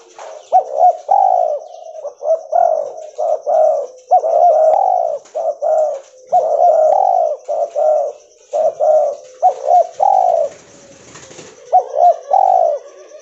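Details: Cotton-white albino spotted dove, a gene mutant, cooing busily: many mellow phrases of short upturned notes and longer falling coos follow one another for over ten seconds, with a brief rustle and a constant thin high tone.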